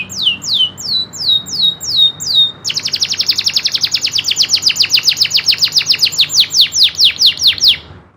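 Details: Local kenari loper canary singing nembak ngerol: six or seven bright falling slurred notes, then an abrupt switch to a long, fast, even rolling trill held for about five seconds before stopping. No background sounds.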